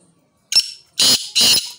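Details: Black francolin calling: a short harsh note followed by two longer, loud, grating, broadband bursts, about 0.4 seconds apart, in a quiet setting.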